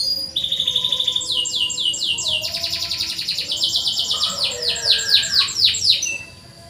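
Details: Canary in full song, offered as a training lure for birds that rarely sing: fast rolling trills stepping between pitches, a long steady trill at the center, ending with sweeping downward notes before fading.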